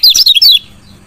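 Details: Female lemon-bellied white-eye (kecial kuning) chirping to stimulate a lazy male to sing: a loud burst of rapid high, sharp descending chirps lasting about half a second, then quiet room hum.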